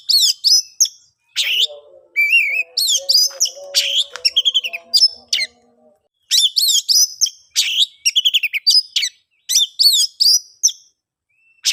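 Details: Lively oriental magpie-robin song used to get stalled or silent birds singing; dense sequences of loud whistles, buzzy notes and rapid trills, with a faint low hum underneath during the first half.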